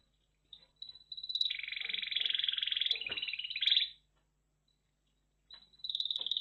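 A red factor canary sings a fast, rolling trill that buzzes along for nearly three seconds, pauses briefly, then launches into another bright, rapid roll.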